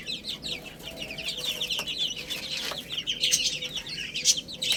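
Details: Little chicks eating spinach, a lively flock chorus of short, shrill cheeps repeated rapidly and overlapping, punctuated by crisp tapping sounds of beaks on food.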